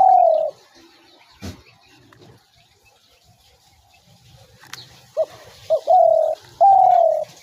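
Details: Spotted dove, used as a lure for trapping doves: one long descending coo at the start, a long quiet stretch with a single thud, then two quick hoots and two long coos in succession.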